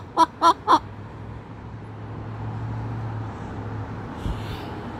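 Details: Moluccan cockatoo raising the alarm at an intruding magpie on the roof: three loud, short, harsh barking calls in quick succession at the start, then quiet low indoor hum with a faint knock near the end.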